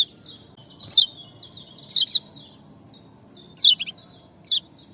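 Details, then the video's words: Sparrow song used as a lure to get reluctant birds singing: bright, downward-slurred chirps in small clusters roughly every second, the strongest near the middle and end, with a constant high whine and soft background rumble. "ciak jos pancingan malas bunyi langsung gacor"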